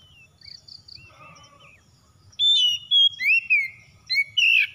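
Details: Oriental magpie-robin (kacer), a home-kept bird, sings to stimulate others: after soft, scattered chirps, a loud run of clear whistles begins, sliding and curling, in several rapid bursts.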